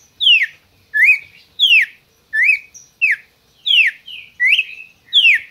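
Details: Red-crested cardinal kept in captivity by a licensed breeder in Brazil, singing: clear whistles alternating downward and upward slurs, about eight phrases in under six seconds, no other sounds.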